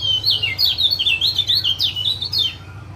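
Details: Unbroken chatter of shrill, wavering 'ciak ciak' notes from a male Lombok lemon-bellied white-eye, used as a prompt to get a quiet male to open its beak and sing; faint low hum behind.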